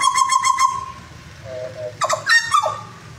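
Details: Butcherbird from Jayapura sings: a quick run of five repeated whistled notes, then a held tone, a soft lower pair, and a burst of bright, falling and rising whistles.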